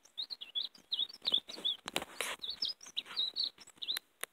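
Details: Warbling European greenfinch song meant to call in and catch greenfinches: continuous chirped and trilled notes run together, overlaid by loud clicking and rustling noises.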